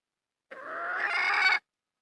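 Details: A wild red junglefowl hen gives one sustained, slightly rising, raspy call lasting about a second. The surroundings are quiet.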